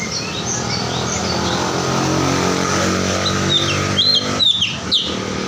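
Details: Ruby-throated bulbul, a songbird: faint, high, short chirped notes early on, then several louder, sharp, downslurred whistled notes near the end, over a steady low hum like passing traffic.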